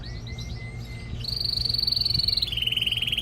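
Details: Male canary singing to stimulate a female for mating and to train young birds: thin whistled notes near the lower range, then a sustained high rapid trill that drops into a lower buzzing roll, over faint low hum.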